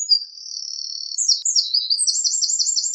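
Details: Eurasian wren singing: a rapid, loud, high-pitched torrent of sharp notes, starting with thin trills, breaking into quick chirps, then ending in a fast rattling trill of repeated buzzy notes, with no other sounds.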